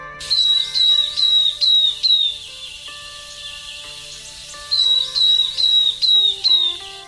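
Northern Beardless-Tyrannulet song: two runs of five high, thin, slurred whistles falling slightly in pitch, given quickly, over a soft musical background.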